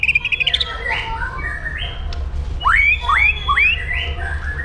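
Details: White-rumped shama in aggressive 'pastol jahat' style used to train other birds: a quick stuttering series of high notes, then three loud upward-swooping whistles in a row, over a low rumbling hum.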